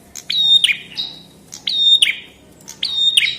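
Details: Chestnut-headed tesia singing three rapid phrases in a 2022 masteran recording. Each is a high piping whistle held level and framed by clicks, closing with a harsh descending note.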